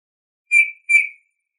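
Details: Eurasian bullfinch recorded in 2018: two soft, clear piping whistles, each slightly falling and fading, spaced about half a second apart against silence.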